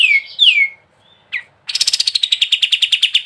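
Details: Gacor ngebren singing of a sooty-headed bulbul: two falling whistled slurs, a short chip, then a rapid rattling burst of sharp repeated notes.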